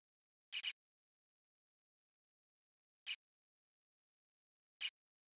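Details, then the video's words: Calling variable oriole gives a quick double rasping note followed by two single harsh chips a couple of seconds apart, with silence between. "ENCONTRO chamando (ICTERUS PYRRHOPTERUS), VARIABLE ORIOLE"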